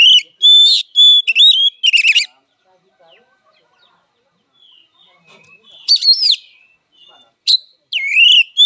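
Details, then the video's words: Oriental magpie-robin (kacer) giving a fighting song, presented as mental and emotional therapy for kacer. High, loud whistled phrases with sliding notes and sharp chirps come in two bursts separated by a long quiet gap. "Suara Kacer Petarung!! Terapi Mental Emosi Kacer"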